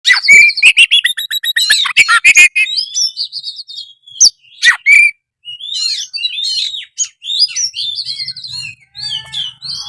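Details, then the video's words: Oriental magpie-robin (kacer) in full, nonstop gacor singing, used to spur reluctant birds into song: rapid varied phrases of high whistles, chattering trills and sharp notes near the top of the range, with brief pauses between bursts. "suara kacer gacor"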